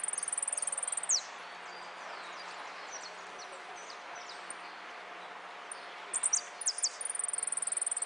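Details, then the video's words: A competition saffron finch (amarillo de repique) that took first place at a contest in Quilmes on 26 October 2013 gives a very high, rapid ticking trill of about a second, scattered thin chirps, then another fast trill over a low hum. "Amarillo de Repique"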